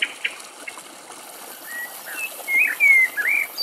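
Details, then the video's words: Common blackbird singing near water in Greece. Soft, quiet start, then several mellow, fluted whistled phrases that slur up and down, louder toward the end, with faint background chirps. "Κελάηδημα Κότσυφα - Blackbird song"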